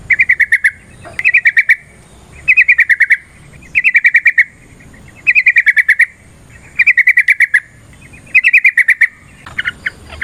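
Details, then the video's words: Yellow-vented bulbul (trucukan) singing a long fighting-style song used to provoke another bird into an emotional, vigorous response: rapid bubbly bursts of about five notes, repeated roughly every 1.3 seconds, with brief quiet gaps. "Suara Burung TRUCUKAN gacor TARUNG ROPEL PANJANG pancingan trucukan agar JADI trucuk gacor EMOSI"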